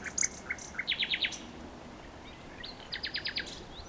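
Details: Nightingale song with bright single chirps leading into a fast burst of five stacked, rattling pulses, a pause, then another matching pulsed burst after a soft rising note.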